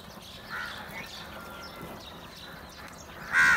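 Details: Crows crowding in together to fight over food: mostly faint calls and soft chatter, then one loud, rough caw bursting out right at the close against a steady outdoor hum.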